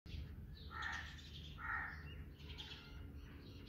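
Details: House sparrows eating food, giving two short, harsh, harmonic chirps about a second apart, followed by fainter chirping, over a steady low rumble of background noise.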